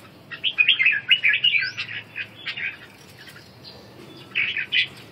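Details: Red-whiskered bulbul, wing-dancing, gives ché calls: a rapid scratchy chatter ending in a rising whistle, a near-silent pause, then a shorter burst of harsh notes.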